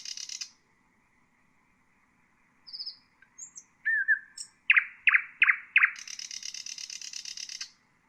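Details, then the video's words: Nightingale song offered for training bulbuls and songbirds: a buzzy burst, a pause, thin high whistles and a falling slur, then four loud strongly repeated notes leading into a long rasping trill. "تغريد طائر العندليب"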